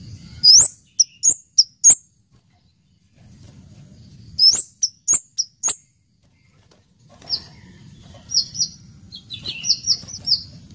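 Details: Orange-headed thrush singing in full voice, shared as a lure sound: bright, high whistled notes mixed with sharp clicks in two quick phrases, then buzzier, trilled note groups toward the end, with low rumbling noise between phrases.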